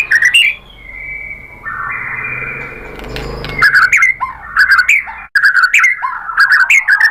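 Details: White-rumped shama singing: varied whistled phrases near the middle range, a sustained steady tone, then bursts of sharp, slurred notes and quick chattering figures, with a few brief pauses.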